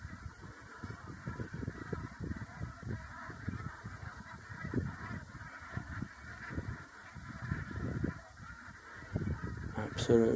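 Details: Large flock of Brent geese on the ground in Russia-to-Siberia migration season, more birds flying in; a dense, continuous chorus of low, gruff honks and murmurs overlapping throughout, with a brief louder clatter near the end.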